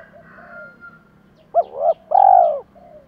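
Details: Lure cooing of spotted doves, males and females: faint soft notes at first, then a quick double hoot followed by a full, mellow descending coo.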